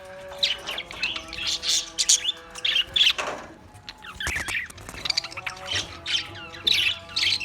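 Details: Australian parrots give clustered high chirps and twittering calls in bursts, with short pauses between them and soft steady tones in the background.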